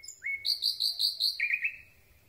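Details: Common Nightingale in full night song, recorded at close range: a single rising whistle, then a rapid series of five loud, rich repeated notes, followed by three lower repeated notes in steady rhythm.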